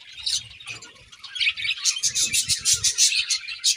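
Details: Several budgerigars chatter in the morning, quiet scratchy twittering building into rapid, pulsing high chirps repeated about three times a second, with soft low bumps below.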